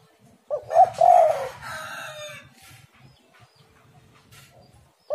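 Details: A spotted dove gives a rolling, stuttered coo used to coax kept birds into song, overlapped by a rooster's crow. Another coo starts at the very end.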